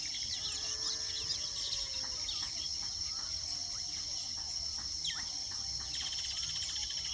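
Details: Weaver birds nesting chatter in quick, scratchy chirps and short rising notes, many birds overlapping, over a steady high insect-like hiss.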